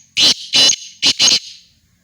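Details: Black francolin from Khushab giving a harsh, rasping call of four loud broadband bursts in two pairs: two grating notes, a short pause, then two more, all within about one and a quarter seconds, with quiet surroundings.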